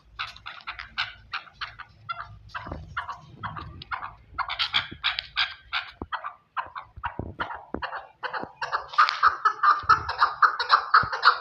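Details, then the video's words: Chukar partridge from Pakistan calling in an irregular run of clipped chuck notes that grow louder and denser toward the end, with some faint low background noise. "Chakor | chakor ki awaz"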